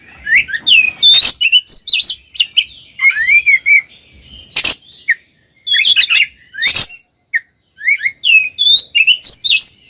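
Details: Pair of Oriental magpie-robins in ngeplong song intended to make mute magpie-robins sing; long varied sequence of short slurred whistles and twitters broken by loud harsh rasping bursts.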